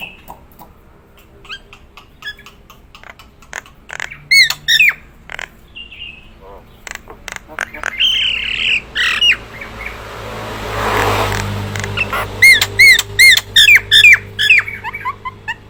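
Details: Gacoran Nias hill myna giving loud, ringing whistles and harsh squawks in quick bursts, with clicks between phrases, a noisy gap in the middle, then a rapid run of bright, rising whistled notes.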